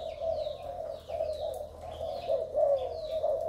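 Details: Male spotted dove of Malaysian origin, energetic, with a striking spotted collar. Throaty low cooing persists with louder bursts toward the end, and high falling chirps sound intermittently above it.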